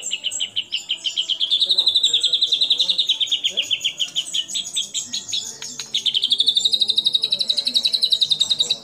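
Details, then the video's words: Vigorous white-rumped shama song packed with copied calls of other birds, including kapas tembak, cililin, lovebird and canary; a long, very rapid, high trill that wavers gently in pitch, breaks briefly, then resumes slightly higher. "Murai Batu Gacor Isian Kapas Tembak Sambung Cililin Lovebird Kenari Dll"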